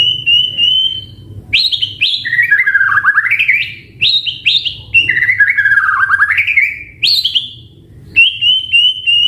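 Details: Loud varied song from a caged white-rumped shama: a steady whistle, then rising and falling warbled runs with abrupt upward leaps, repeated in two similar long phrases, ending in a level whistle.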